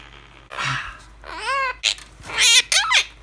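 A Quaker parrot chatters in a squawky, warbling imitation of human speech.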